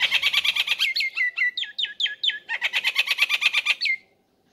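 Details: A male Nias hill myna calls to a female, used to prompt other birds to sing, giving a fast run of loud metallic notes, several per second, broken by sharply falling whistles, ending abruptly.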